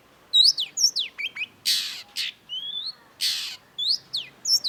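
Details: Long-tailed shrike (cendet) in masteran-style gacor singing: harsh broadband rasps alternate with quick downslurred whistles, thin rising notes and sharp chips, delivered in a busy varied stream.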